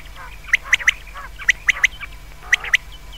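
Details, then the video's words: Common quail, offered as a sound for night use, giving clear three-note whistled phrases with sharp, quick, high notes, repeated about once a second over a quiet background with a faint low hum. "Batair ki awaz raat keliye behtreen awaz | comon quails | بٹیر کی رات کےلیے بہتریں آواز"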